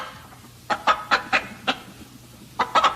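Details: After a quiet start, a hen utters about five spaced, throaty clucks, pauses, then adds a quick triple cluck, all over a low hum.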